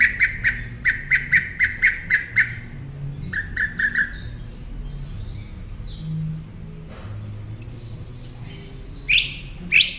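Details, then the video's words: A Northern mockingbird sings for caged-bird training: a long run of rapid, evenly spaced sharp chips in small groups, then a thin, wavering high whistle and two loud closing notes. "Masteran Pintar Burung Kicau Northern Mockingbird"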